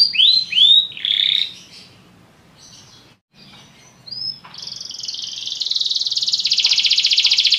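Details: Belgian canary, lazy song style: a few bright arched notes, a quiet pause with faint soft notes, then a long fast trill that grows steadily louder.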